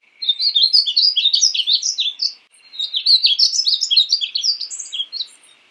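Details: Two dense bursts of bright, bubbling warble from a painted bunting, each about two seconds of fast, varied high chirps, with a short break between.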